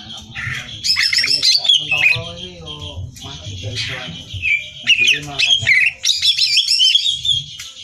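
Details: Greater green leafbird, a competition-training recording: bursts of high chattering and harsh rattling notes alternate with softer lower harmonic calls, giving a varied, squawky song.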